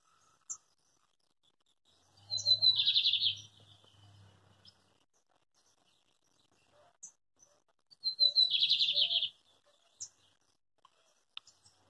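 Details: Lined seedeater singing the metralha style in the countryside of Coronel Murta, Brazil, on a farm. Two bursts of rapid, buzzy, machine-gun-like notes roughly six seconds apart, with a faint low hum between them.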